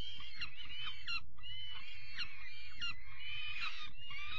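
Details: Young peregrine falcon chicks being given their evening meal on 5 May 2021, calling continuously with harsh, wavering, drawn-out cries that bend up and down, broken by short pauses, over a low rumbling background.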